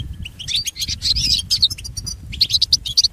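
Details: Goldfinch song used in training pet goldfinches: bright chattering twitters and liquid notes, ending in a series of quick repeated tinkling phrases, over low background noise.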